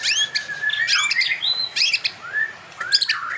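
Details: Singing white-rumped shama: loud sliding whistles, long clear falling and rising notes mixed with sharp clicks and buzzy chips, phrases separated by brief gaps.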